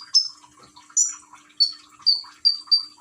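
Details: Konin, or common iora, caged in Gresik, East Java, with trickling water therapy to encourage singing; several separate piercing whistled notes, each falling slightly in pitch, spaced about half a second apart.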